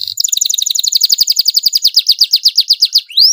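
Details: Domestic canary in loud tutor song: a steady rapid trill of slurred notes about four per second, ending in a rising whistled sweep.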